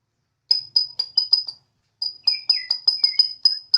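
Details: Bornean white-rumped shama kept at home on a terrace, singing eagerly in a siren-like way: a row of sharp, high whistled notes repeated rapidly, then a short pause and another burst with lower slurred whistles.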